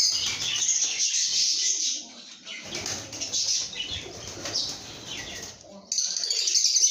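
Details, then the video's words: Lovebirds chirping and singing, a sign of a happy bird in a good mood; dense, harsh, high-pitched twittering chatter runs almost continuously, dipping quieter mid-clip before surging back loud near the end. "lovebirds make happy sounds"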